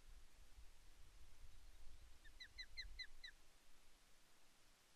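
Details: Female Osprey at Loch Arkaig Nest One on 5 May 2024, calling to her mate for fish from the nest: a short run of about six soft, arched whistled notes, evenly spaced, over a low rumble of wind.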